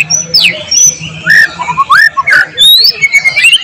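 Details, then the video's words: Murai batu, the white-rumped shama, in full gacor song, mixed with filler phrases of cililin, cucak jenggot, canary and lovebird. Short rising and falling whistles and slurred notes follow one another in quick bursts, with a faint low hum underneath. "volume siulan murai batu gacor tembus materi isian"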